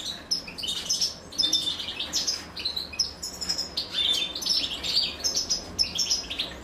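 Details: Goldfinch nestlings calling for food as the female feeds them, giving clustered bright, squeaky chirps high in pitch, in irregular bursts of two to four notes with brief pauses, over quiet background noise.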